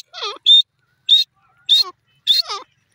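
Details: Bhora teetar, the grey francolin, utters high whistled notes, several paired with chattering, wavering descending squeals. The calls come in four spaced bursts over three seconds, with quiet gaps between them.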